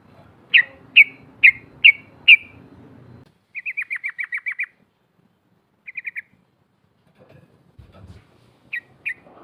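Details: Female sooty-headed bulbul calling out to challenge rivals: five loud, spaced, sharp chips, then a quick rolling series of eight notes, a short burst of three, and two final chips, in an otherwise quiet setting.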